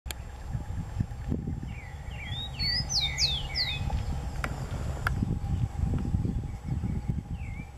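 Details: Rufous-collared sparrow singing outdoors: a string of thin, slurred whistles, some rising and some falling, over a steady low rumble of background noise, with a few sharp clicks.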